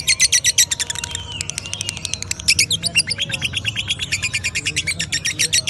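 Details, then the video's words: Fast, high, chattering chirps from a lovebird in ngekek style, bursts running together into a steady trill, with low rumbling noise and faint voices behind. "Love Bird Ngekek"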